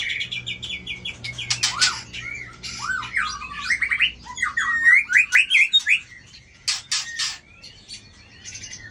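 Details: White-rumped shama with a 24 tail, flicking its tail to intimidate a rival. It gives varied whistled phrases, some rising and some looping, mixed with harsh chattering bursts and quick repeated notes. A faint low hum sits in the background.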